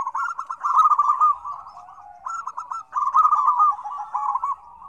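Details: Zebra doves in a noisy, busy mix of combined calls meant to prompt reluctant doves to call. Rapid stuttered, rolling coos sit in mid pitch, with two bursts separated by a softer pause near the middle.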